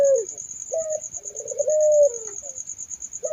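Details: Puter dove cooing with soft, low, drawn-out notes that rise slightly and then slur downward. A shorter note follows, set against a steady, high, pulsing buzz that runs through the whole recording.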